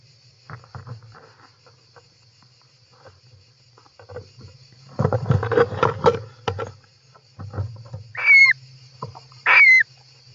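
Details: Inside a European roller nest, recorded by an in-nest camera on 18 July 2024: rustling and scraping of birds moving, then two loud rasping calls about a second apart, each with a falling whistled tail.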